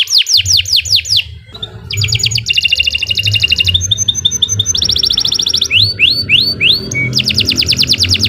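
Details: Canary performing a varied master song meant for training other birds: falling whistled notes, shifting fast trills at different pitches, upward-slurred notes and a steady thin tone, over a faint background hiss.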